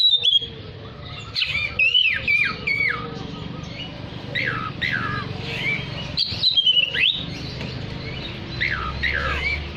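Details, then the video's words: Oriental magpie-robin in active song, used to call other magpie-robins: distinct downward-slurred whistles and bright rising notes in spaced phrases, with brief pauses between bursts and a low background hum. "Terapi Suara kacer gacor untuk memanggil kacer lain dijamin langsung ikut bunyi"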